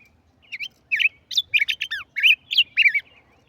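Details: Tigrillo in song, giving a rapid run of about ten bright chirped notes, each a sharp upward-then-downward whistled slur, some with a lower dropping note, against near silence.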